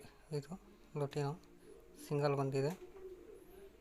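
A pigeon gives low, throaty coos in short bursts, ending with a longer rolling coo.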